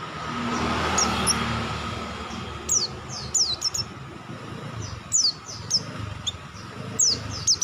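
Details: Pleci singing in the wild-sounding ngalas manner: spaced, crisp high whistles sliding downward, in little groups of two or three, over quiet ambient hiss and a faint earlier rumble.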